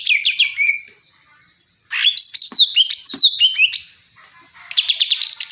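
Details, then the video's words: Greater green leafbird song of quick looping whistles that open with falling notes, go quiet briefly, then return as sharp rising and falling phrases ending in a fast series of high chips. "Cucak ijo bikin pedes kuping"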